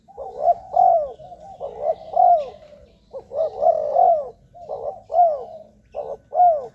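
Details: Low, rounded coos from a spotted dove used to lure wild birds, delivered in quick runs of two or three notes that often end in a downward slur, the pattern repeated without pause.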